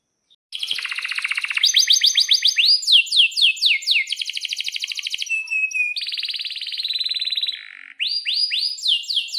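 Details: Lure song of a canary singing with long rolls and excited chirps to stimulate other canaries: fast buzzy trills alternate with runs of sharply down-slurred whistled notes, switching tours every second or two, then a brief pause and more rising slurs.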